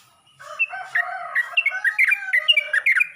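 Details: Yellow-vented bulbul calling to fellow bulbuls, starting with lower, softer chattering and building into brighter, bubbling whistled notes that tumble quickly over one another.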